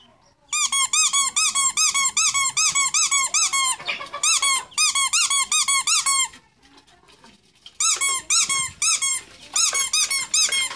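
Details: Ducklings indoors chirping in rapid bursts of loud, arched peeps, each rising then falling, delivered about two or three per second in runs separated by short pauses, with a quieter gap in the middle.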